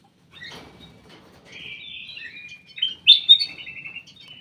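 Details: Ruby-throated bulbul in a private aviary gives a softer warbling phrase, then louder rich whistled notes, ending in a short run of quick repeated chirps.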